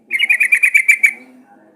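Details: Lure recording of a sooty-headed bulbul meant to get birds singing at once: one quick burst of about nine bright, bubbling notes in fast succession, fading into quiet.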